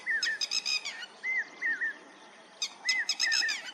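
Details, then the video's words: Lapwing giving clear whistled notes that rise and drop into a lower wavering tail, in pairs. Bursts of harsher, rapid, layered chattering notes come before and after them, against a faint outdoor background. "Voice of Lapwing Bird"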